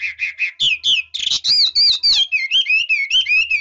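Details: Chinese hwamei switching voices: repeated clear whistles, harsher buzzy bursts, then flowing warbled phrases that rise and fall, loud and continuous.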